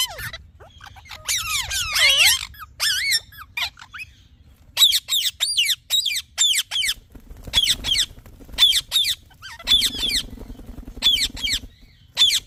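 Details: Talking parrot chirping: an opening tangle of warbling, looping notes, then a steady run of short, sharp repeated chirps in quick clusters with brief breaks; faint hum underneath.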